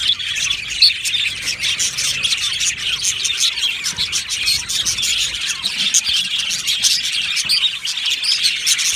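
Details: Many budgies in an aviary colony produce a thick layer of shrill chirps and warbled notes, steady in loudness, with occasional sharper squeaks standing out.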